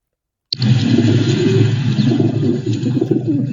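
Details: Pigeons cooing together, a sound made when about to eat grain or when content: low, soft, throaty rolling murmurs overlapping continuously, with a faint hiss above.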